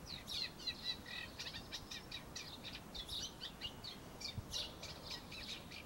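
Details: Eurasian reed warbler singing from a laurel bush: a continuous run of harsh, chattering high notes, short phrases each repeated a few times in rapid, jerky rhythm, over quiet background noise.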